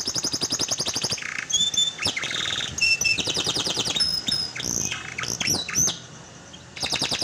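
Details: Canary lure song to prompt a silent canary: long rapid trills, buzzy low rolls, thin high whistled notes and slurs, a brief pause, then the trill resumes.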